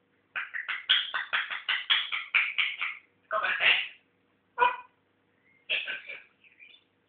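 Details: Pet African grey parrot learning to talk, kept indoors, giving a rapid run of about a dozen harsh, speech-like syllables, then a longer burst and a few scattered notes ending in a short high squeak.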